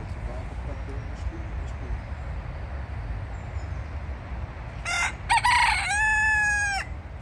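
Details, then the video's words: Free-roaming rooster in a littered forest at Alphen aan den Rijn, Netherlands, gives one loud cock-a-doodle-doo near the end: choppy opening notes, then a long held harmonic-rich tone, after several seconds of steady outdoor background noise. "Wild Dutch roosters roam freely through the dirty forest and sing songs"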